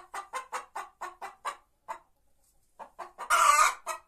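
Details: Singing White Leghorn hen gives eight quick clucks, pauses after a single note, resumes with a few soft clucks, then lets out one loud, harsh, drawn-out squawk before a last cluck.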